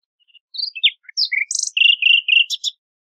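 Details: Nightingale song: varied whistled and slurred notes, a harsh buzzy burst, then a string of rapid rattling trills and a final scratchy twitter.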